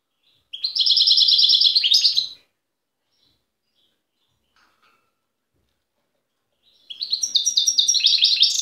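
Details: Goldfinch song recorded wild in Tiaret in 2015: two long, fast, liquid trills of high chirping notes, each about two seconds, separated by a quiet gap of several seconds.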